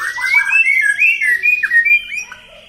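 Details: Kept white-rumped shama being provoked to anger for fighting training, giving a continuous run of clear, looping whistled phrases that rise and fall, with a faint higher warble behind.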